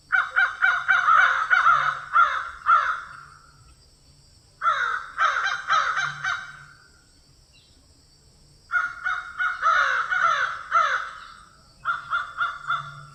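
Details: Crows in a field give harsh, hoarse caws in quick runs of three to five, with short pauses between bursts, over a faint steady high hiss.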